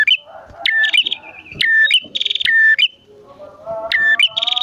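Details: Bar-winged prinia, male and female, singing energetically, used as a lure to make caged prinias sing and to attract wild ones; loud, sharp whistled chirps in bursts about once a second, with lower tonal background notes.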